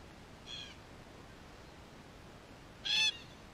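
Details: Wild red-tailed black cockatoo in Australia investigating a spy camera: two brief, harsh, nasal calls about two and a half seconds apart, the first faint and the second loud, over steady hiss.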